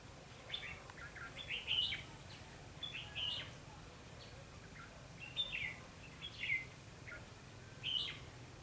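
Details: Red-whiskered bulbul singing during a bird-trapping session on 21 November 2016: short bright whistled phrases with rising and falling notes, given in bursts every one to two seconds over a steady low hum.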